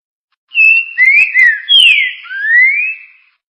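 A green-winged saltator sings one rich, whistled phrase of about five slurred notes, some rising and some falling, lasting under three seconds. No other sounds are heard.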